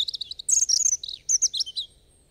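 A European robin sings one quick, high phrase of thin twittering notes and bright whistled slurs lasting about two seconds, with no other sounds.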